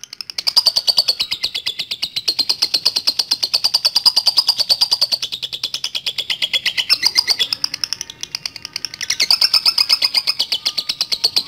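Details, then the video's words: Lovebird giving a long 'ngetik latah ngekek panjang' chatter used as a lure to get other lovebirds singing: a dry, rapid stream of high chips, about eight per second, running unbroken for over eleven seconds with slight rises and dips in pitch. "Pancingan Love Bird Ngetik Latah Ngekek Panjang"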